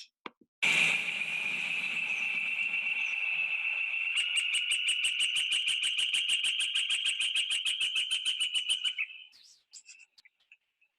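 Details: Northern flicker call, like shrieking and laughing together: a long, loud, high piping run that starts as a sustained shriek and breaks into rapid laughing wik-wik notes, about three per second.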